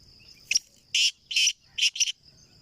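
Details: Black francolin (kala teetar), home-bred: a harsh, grating call of five rasping bursts, a short one, then two longer ones and two quick short ones, over a steady high insect whine.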